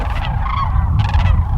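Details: Sandhill cranes, a flock of about 20,000 on migration at Whitewater Draw, McNeal, Arizona, many far in the distance. Rolling, trumpeting calls in overlapping bursts over a heavy, low rumble of wind.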